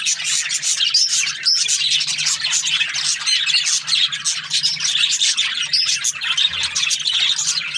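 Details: In the morning, a budgie flock produces constant high-pitched chatter, rapid chirps and buzzy warbled phrases tumbling over one another without pause, over a quiet steady hum.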